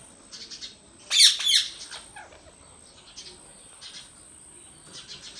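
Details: Indian talking ringneck parrot kept as a pet gives one loud, harsh burst of rasping squawks, followed by soft scattered chirps and faint chattering over a steady high hiss.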